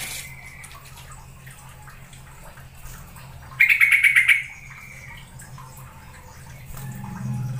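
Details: Yellow-vented bulbul lure call meant to make a bird sing and grow tame: a brief fast pulsed trill near the middle, with faint softer notes and low background noise around it.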